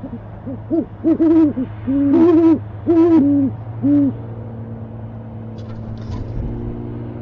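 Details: Owl watched on a nest cam in January 2015, calling for dinner: a cluster of quick, low wavering hoots in the first four seconds, then a steady low hum and a brief thump.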